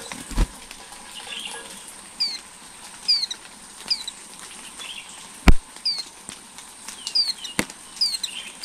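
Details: Flowerpecker chicks growing in a nest, recorded by a camera placed at the nest over eleven days: thin, high, downward-slurred squeaks repeated about once a second, with occasional sharp clicks and thumps.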